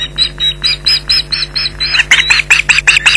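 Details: Osprey shouting at a persistent nest intruder at Loch Garten, 15 July 2011; a quickening series of shrill yelps that grow louder and sharper toward the end.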